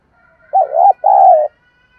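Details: Spotted dove coo meant to excite a decoy dove into answering. A single loud, mellow, low-pitched phrase: a short rising-falling note, then a longer, steady, slightly falling one, in a clean recording.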